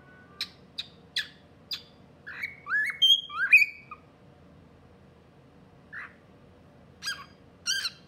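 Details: An albino pearl cockatiel talks, chattering in bursts of sharp clicks and bending, squawky notes as it imitates speech.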